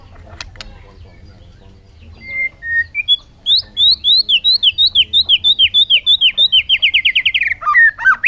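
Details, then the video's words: After faint clicks, a bird begins with steady whistles and builds into a long run of repeated downslurred notes, about three per second, speeding into a rapid trill before a final looping phrase. "suab noog quaj zoo heev"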